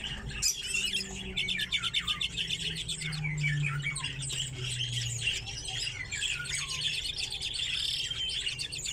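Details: Common redpolls (Acanthis flammea) in an aviary shared with chaffinches chatter in a busy flock, a dense run of high, dry twitters and buzzy notes over a steady low hum.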